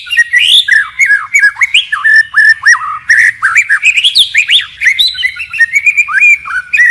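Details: White-rumped shama pouring out a dense, forest-style song with nonstop phrase changes: rich slurred whistles, quick twisting warbles and rising notes running almost without pause.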